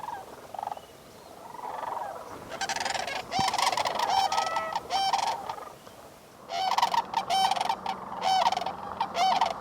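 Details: A flock of sandhill cranes calls close to shore at sunrise in Bosque del Apache National Wildlife Refuge, New Mexico, December 2021, at about 19 degrees F. Loud rattling, bugled calls come in bursts, with softer calling between them.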